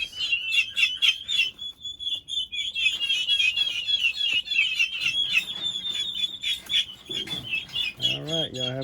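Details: Several 1.5-month-old baby turkeys raising a fuss with dense, high-pitched peeping, shrill notes tumbling over one another almost nonstop, a lower wavering call near the end.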